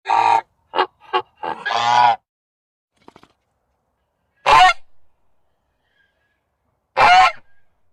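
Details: Goose giving a rapid burst of four short harsh honks ending in a longer blaring one, then after a pause two more separated loud nasal honks, each trailing off quietly.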